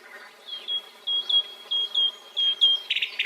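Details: Nightingale piping a series of pure, level whistled notes in short irregular groups, followed by two brief harsh rattling bursts at the close.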